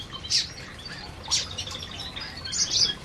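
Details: Feeding canaries in an aviary: two loud sharp chirps, then a high buzzy twitter toward the end, with soft chatter between them.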